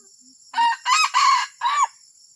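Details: Junglefowl uttering an unusual call: four hoarse, crowing notes, short, longer, long, then a final downslurred note, with a constant high-pitched insect hum behind.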